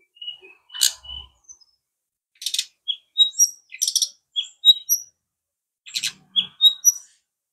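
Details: Brown-chested jungle flycatcher song: sharp clicking bursts alternate with short high whistled notes and brief warbled phrases, in irregular bouts over several seconds.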